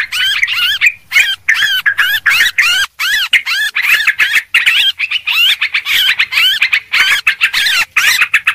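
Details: Rapid chattering phrases from a sooty-headed bulbul, played to lure birds. Short looping notes rise and fall, come in dense bursts with brief gaps, and run on for over eight seconds.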